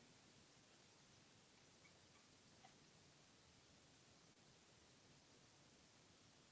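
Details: Only faint, even background hiss with a single soft tick is heard.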